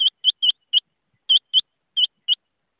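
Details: Rain quail call made of crisp, clipped, high-pitched notes in quick doublets, each pair separated by short pauses, clean with no other sounds.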